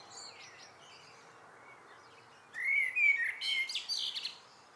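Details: Evening song of a common blackbird, offered as a good-night song. After a quiet stretch with faint distant notes, one loud phrase starts with mellow whistles and ends in thin, high chirps.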